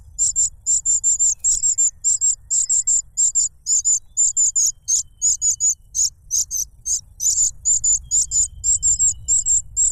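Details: Noisy cuckoo chick competing for food from its foster father, which plugs its beak with a butterfly; very high, hissing-chirpy notes in rapid triplets and quadruplets, relentless and evenly loud, over low ambient rumble.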